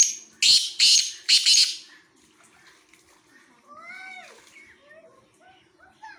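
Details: Harsh, grating call of a black francolin at Khushab, an opening note and three loud rasping bursts, after which quieter descending whistles of other birds follow.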